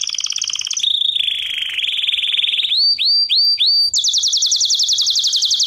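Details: Canary song lesson for training birds: rapid rolling trills shifting pitch, four upswept whistled notes in quick succession, then a high even pulsed trill.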